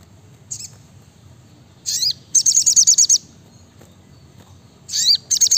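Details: Brown-throated sunbird singing actively in a fast, dense 'shooting' style: short high chirps, then a burst of about eight rapid sharp ticks, a pause, and more quick downslurred notes over a low background hum.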